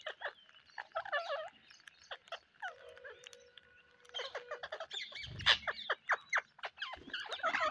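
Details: Rainy-day parrots give a mix of short, clipped squawks and a steady held note, then a quick series of sharp, repeated calls near the end, with a brief low thump between them.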